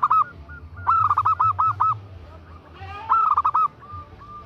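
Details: Female zebra dove calling to a male: two rapid rattling series of cooing notes, about six notes each, spaced by quieter single coos, with a soft low murmur behind.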